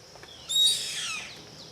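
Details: Yellow-headed caracara (Milvago chimachima) giving one loud, harsh, raspy scream that slides downward and trails off over about a second, over a steady high insect hum.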